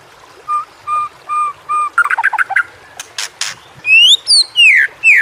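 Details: Murai batu (white-rumped shama) song for training other shamas: four even whistled notes, then a burst of fast chattering notes, sharp clicks, and loud downward-sweeping whistles at the end.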